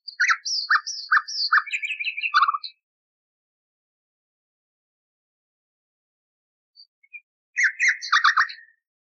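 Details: Common nightingale, restored from a recording thought to be 30 or more years old, sung for canary training: rapid rhythmic low chooks beneath high chirping notes, a buzzy trill, silence, then another fast choppy burst.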